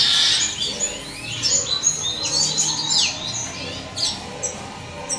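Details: Juvenile red siskins, from a Classic male and a simple-mutation female, give a busy stream of high, thin chirps and twittering notes, several per second, with some fast downward sweeps.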